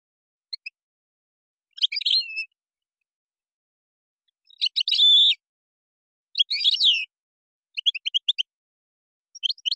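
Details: European goldfinch singing in Moroccan style, with gazrat and srrr bertbertiou phrases: short high twittering bursts and buzzy chirps separated by pauses of one to two seconds, over a silent background.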